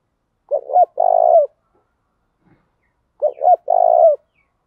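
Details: Fight-provoking call of a spotted dove lure bird, thổ pha đồng voice. Two clean phrases roughly two and a half seconds apart: two short mellow coos, then a longer trilled coo that falls away.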